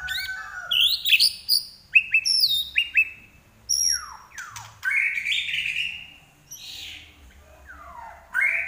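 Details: Common iora singing actively (gacor) with high, sharp whistled notes in fast clusters, then falling slurs and long upswept whistles separated by short gaps.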